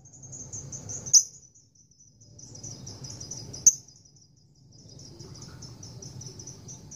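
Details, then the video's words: Female lovebird courting a male, performing a long 'ngekek' chatter: a sustained, very high, rapid rattling trill running almost throughout, broken by two sharp clicks, with a low background hum. "Lovebird gacor ngekek panjang betina merayu jantan"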